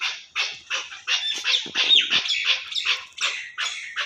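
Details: Chukar partridge (chakor) from Pakistan giving a rapid run of harsh, chuckling notes, about two to three per second, loud and steady throughout with no other clear sounds.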